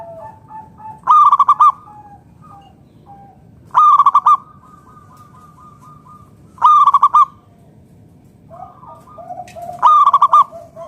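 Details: Strong-voiced local zebra dove (perkutut), used to prompt other doves to call, repeating four loud phrases of quick, staccato coo notes, roughly every three seconds, with softer cooing from other doves between them.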